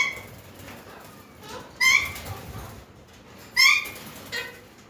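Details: Alexandrine parakeets in a gathering utter clear, ringing, harmonic squawks, two strong ones nearly two seconds apart with a fainter reply after, over quiet chatter.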